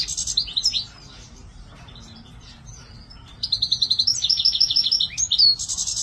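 A goldfinch sings a high, tinkling twitter, then after a quiet pause breaks into a fast, rippling run of bright notes and buzzy trills.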